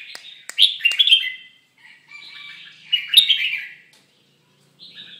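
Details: Red-whiskered bulbul in moult, singing two clear warbling phrases of slurred, liquid whistles separated by brief pauses, with a soft trailing note at the end.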